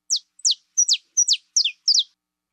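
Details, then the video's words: Saffron finch female calling in a steady series of six bright downslurred notes, several introduced by a brief flat whistle, evenly spaced about every third of a second. "CANÁRIO DA TERRA FIBRA"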